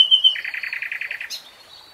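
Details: Common nightingale song phrase: a high whistle, then a fast run of about a dozen identical lower chuckling notes. The phrase ends in a sharp high flick and a thin fading whistle.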